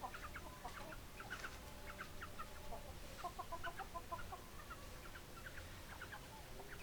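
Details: Hens clucking in a chicken flock: short clipped clucks and soft chattering notes come in loose clusters, busiest near the middle, against constant low rumbling noise.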